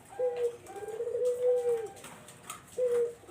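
Barbary dove giving soft, low hollow coos, a long drawn note followed by shorter ones, steady in pitch with a slight drop at the end.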